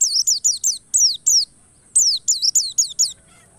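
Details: White-eye lure song for prompting other white-eyes to sing full of emotion: a fast, loud stream of high, sharply descending whistles, with brief notes clustered in twos and threes and one short break, over a faint steady high tone.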